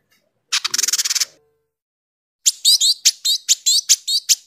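An indigo bird gives a harsh, rapid rattle, then after a pause a run of sharp, high chattering notes with quick rising sweeps, about two or three per second.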